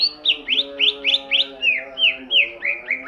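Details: A greater green leafbird sings in ngentrok style, a fast, loud series of about ten slurred whistled notes, each sweeping down, repeated steadily over a faint tonal hum.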